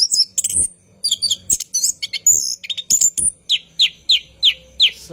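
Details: Orange-headed thrush singing long and rolling at night as a training lure for cage birds: jumbled high chattering phrases, then a run of five or six identical downslurred notes about every third of a second.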